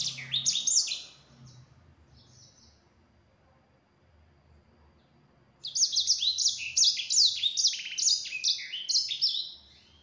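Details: Yellow-fronted canary singing high, fast twittering phrases with buzzy trills, a brief burst, a pause of several seconds, then a longer run; the song is used as a lure to make other canaries answer.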